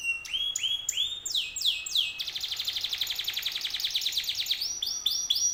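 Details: Canary song meant to prompt other canaries to answer: arched rising-falling whistles, then a long rapid buzzy trill, ending with more repeated arched notes.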